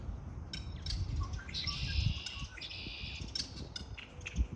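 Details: Birds chatter in spring with a long run of buzzy trills and quick high chirps overlapping, above a soft, steady low rumble.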